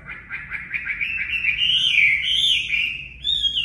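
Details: A 'mộc' Chinese hwamei, used to train caged birds: a rapid stuttering run of notes building into a loud, rising, continuous warbled whistle, ending on a clear high note.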